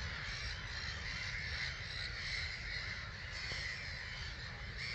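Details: Dawn departure of roughly 250,000 starlings from their roost at Gibraltar Point NNR, 05:45 on 21 March 2022: a thick, even chorus of overlapping chirps and whistles, with a low rumble beneath.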